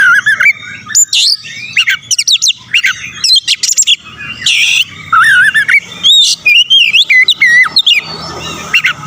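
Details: Oriental magpie-robin (kacer) singing vigorously as a lure to rouse the fighting spirit of rival birds. It gives a dense, varied stream of sharp rising whistles, trilled wavering notes and brief rasping bursts with almost no pauses.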